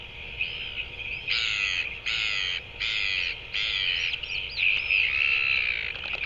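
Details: Two male royal albatrosses interacting in New Zealand, dated 5-1-24: a run of four harsh, rasping bursts, each lasting under a second, then a rougher chattering stretch, with faint thin chirps of other birds and a steady background hiss.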